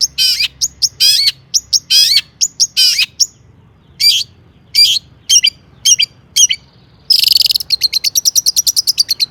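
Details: A long-tailed shrike delivers its stuffed mimicry song as a lure to get other shrikes singing: clusters of loud whistled and trilled phrases, pauses, a harsh buzzy burst, then a rapid ticking series of high notes.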